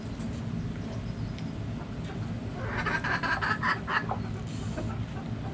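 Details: Backyard hens: a fast, rising series of loud, harsh clucking notes midway through, with fainter notes before and after over a low steady rumble.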